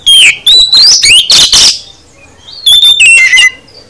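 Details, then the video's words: Kacer, or oriental magpie-robin, giving 'full isian' song: a rapid run of loud whistles sliding upward, ending in a harsh burst, then about a second of quiet before another string of clear descending whistles. "Kacer Anda Bisa NYAUT GACOR, Setelah Dengar Kicau KACER Full Isian ini"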